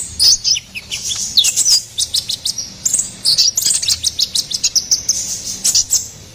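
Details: Ruby-cheeked sunbird song for tutoring and luring caged songbirds, a dense stream of very high, sharp chirps and twittering phrases running almost without pause.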